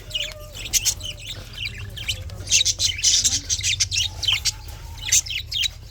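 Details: Budgie chatter on a February morning in 2024: steady stream of high scratchy chirps and squeaks with brief flat whistles mixed in, several birds calling at once over a low constant hum.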